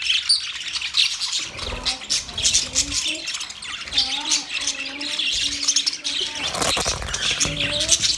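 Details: Constant high-pitched budgerigar twittering, with repeated lower, hummed tonal notes that waver gently in pitch over the middle of the recording.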